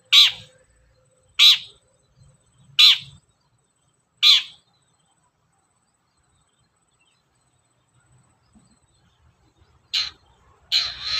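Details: Long-tailed shrike, a lure recording used to prompt caged birds to sing; four loud harsh rasping calls about every 1.4 seconds, then silence, then two more bursts near the end.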